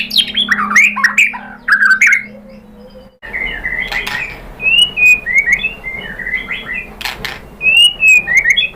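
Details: A white-rumped shama sings as bait to draw answers from other birds, delivering looping whistled notes and short warbles, with a low steady hum beneath the first few seconds.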